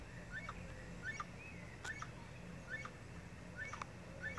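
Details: Crested guan at Arenal Springs, Costa Rica, gives short, harsh, honking yelps, repeated about once a second, over a steady low hum.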